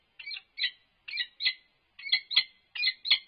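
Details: Peregrine falcon calls as an unknown male interacts with the resident female from atop the nest box on November 3, 2021: paired harsh, scratchy chips repeated in doublets about every 0.8 seconds.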